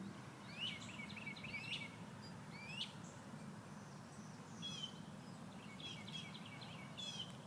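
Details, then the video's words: Several birds in Central Florida in the morning chirp in bright, quick bursts of high notes, some with sweeping whistles, over a steady low rumble of distant traffic. "Birds chirping in the morning"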